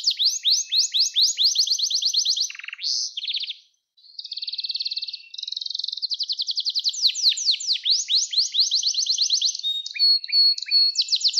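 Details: Singing canary, recorded as song training for young canaries: long chains of quick descending notes, a low buzzy rattle, then even, rapid trills and more slurred runs, with a short silent gap near the middle.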